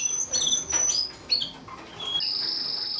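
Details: Mosaic canary singing: clear high whistles and short trilled phrases, ending in a steady, sustained high note.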